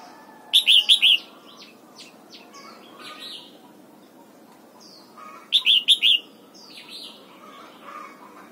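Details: A red-whiskered bulbul sings its morning training song aimed at the double-note wild style. The same loud four-note warbled phrase is repeated twice about five seconds apart, with many soft chirps and short calls between.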